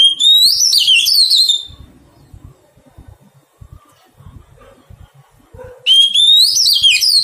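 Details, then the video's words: A tamed wild-caught Oriental magpie-robin sings two loud warbled phrases, each starting with an upward whistle. They are separated by a quiet gap of about four seconds with faint clicks and a soft low note. "Thuần hóa chòe than bổi"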